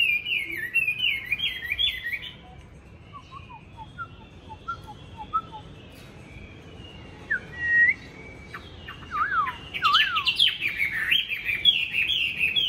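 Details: Tame Chinese hwamei kept as a fighting bird in Hanoi. Varied whistled song: rapid wavering phrases, then a stretch of quiet scattered notes, then a loud burst of fast, steeply sliding whistles that builds into rich, continuous warbling.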